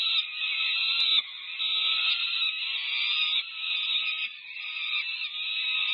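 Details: Peregrine falcon chicks over five weeks old begging during a feeding frenzy at the UC Berkeley nest, 18 May 2023, nest camera; continuous harsh, raspy, buzzy screaming with slight surges, no pauses.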